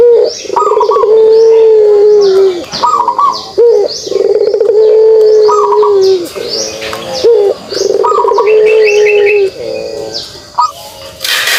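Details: Pelung turtle dove giving its kugeruk coo: a short rising pulse, then a long steady low hum that sags at the end, repeated about every three seconds in four bouts.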